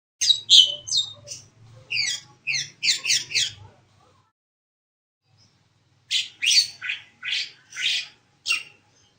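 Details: Black-winged myna singing vigorously: two bursts of loud, harsh, chattering notes, each short phrase of squawky whistles repeated quickly, separated by about two seconds of silence.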